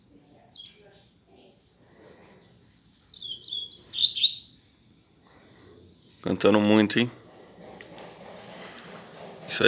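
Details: Coleiro (double-collared seedeater) in a hand-held cage, starting to open its song: a brief high chirp, then a cluster of sharp, high twittering notes, followed by a loud harsh broadband burst and soft background noise.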